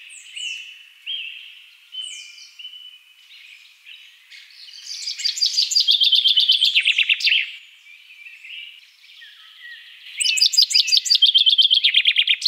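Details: Common chaffinch (Fringilla coelebs) singing bright descending phrases of rapid notes, each about two seconds long, with soft high calls and chirps of other birds in the gaps.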